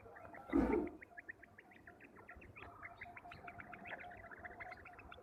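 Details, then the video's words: Quails calling in a village, short sharp high notes repeating steadily in quick succession, with a single loud low thump near the start against faint background noise. "Amazing quails calling | batair ki zabrdast awaz"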